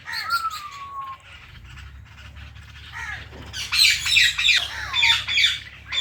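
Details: Two pet Indian ringneck parrots, one of them blue, voice a long falling whistle, a pause with soft calls, then a loud run of harsh screeching squawks repeated about every half second.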